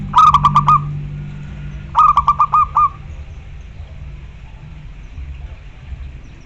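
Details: Zebra dove of the local variety calling to a rival, two phrases about two seconds apart, each a quick run of four or five bubbly cooing notes ending in a longer note, then quiet with a low hum beneath.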